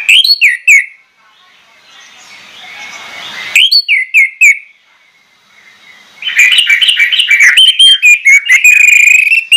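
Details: An orange-headed thrush gives bursts of rich, varied whistled phrases with quick chattering notes, separated by brief pauses, ending in a sustained high warble; the song is used to lure other orange-headed thrushes into singing.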